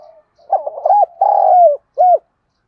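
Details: A single phrase of spotted dove song in the southern Vietnamese 'thổ đồng' style, used to entice wild doves. A stuttering run of short coos swells into a long rolling coo, then a brief separate closing coo. A soft murmur precedes it.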